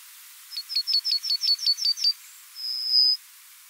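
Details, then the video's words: A male Yellowhammer sings its typical spring song in the farmed countryside of Austria: a fast run of about nine high, thin, identical notes ending in one long, drawn-out wheezy note. "dieser gesang wird von den goldammer männchen im frühjahr in der heimischen kulturlandschaft verbreitet vorgetragen"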